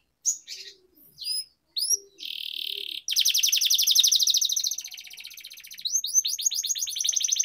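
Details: Canary singing in rolling style to coax quiet canaries into song: a few scattered whistled notes, then a long dense buzzy roll, easing off before a run of quick rising notes.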